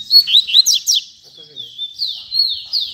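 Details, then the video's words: Coleiro, the Double-collared seedeater, in tui tui zel zel song: quick steep downward-slurred whistles at the start, then long drawn-out wavering high whistles that fall and rise, with pauses between phrases. "Coleiro Tui Tui Zel Zel Lindo"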